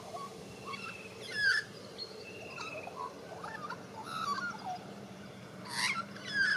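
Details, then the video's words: White-backed Australian magpie warbling in Australia, a young bird learning its song: varied fluting whistles and short slurred notes, broken by a few loud harsh bursts, over faint low background noise. "White Backed Magpie / Warble Song"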